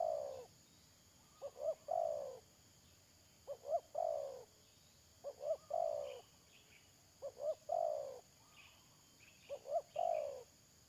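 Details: Spotted dove kept as a trapping decoy, recorded 31 May 2022, cooing about six times: two short notes and a long downward croo each time, with faint high chirps of other birds.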